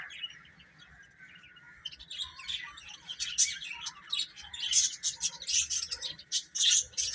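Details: Baby chickens peeping, soft at first, then bursts of high, piercing chirps crowding together in the second half, with a steady faint hum running underneath throughout.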